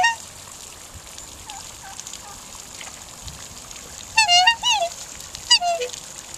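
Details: A pair of kept Australian black swans sings: soft, then loud, musical bugling notes in quick bursts, with a few fainter calls earlier and a steady background hiss.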